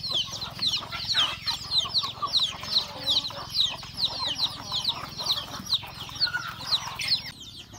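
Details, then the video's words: Chickens eating breakfast at home produce a constant wash of piercing, falling peeps from many birds, with muffled clucks and pecking sounds, fading slightly at the end. "Beautiful sound of chicken eating breakfast"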